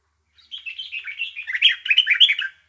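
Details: Bulbul chirping in a brisk, warbled phrase of about two seconds, with fast rising and falling notes that grow louder and denser at the end against a silent background.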